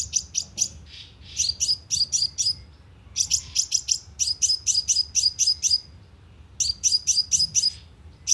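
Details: Sunbird calls used as a lure with a loudspeaker trap: bursts of very high, thin, rapid chirps, three to eight notes per burst, repeated with short pauses.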